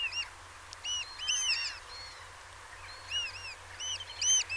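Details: Eurasian oystercatcher at Peenemünde giving sharp, high piping calls in short clusters of two or three arched notes, with brief pauses between clusters and a soft steady background hiss.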